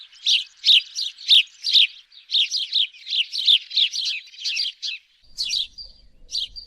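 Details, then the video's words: House sparrow in a dense run of harsh chirps, nearly continuous for five seconds, then a few spaced notes and faint low rumble. "Sparrow bird call-صوت عصفور الدوري"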